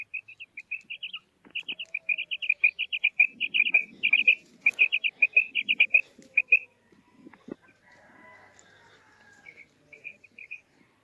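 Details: Calling female quail gives rapid clusters of short, clear notes, two to four at a time, repeated for several seconds, then a quieter pause and a few softer single notes. There is faint low rustling.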